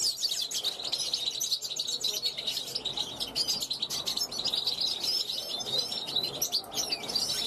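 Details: Young European goldfinch hatched in 2021 on a balcony, calling out to passing wild goldfinches with a steady stream of rapid, high-pitched twitters and tinkling chirps.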